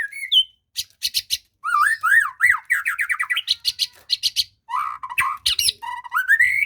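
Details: White-rumped shama song, played to coax a reluctant bird into singing: a rich, rapid run of varied clear whistles, upslurred and looping notes and buzzy chips, broken by short pauses and shifting between phrases, with no other sounds.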